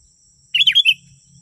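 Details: One rich sooty-headed bulbul phrase from a recording used to attract wild birds: a tumbling run of four warbled, slurred notes, with a soft low hum and a thin high whine in the background.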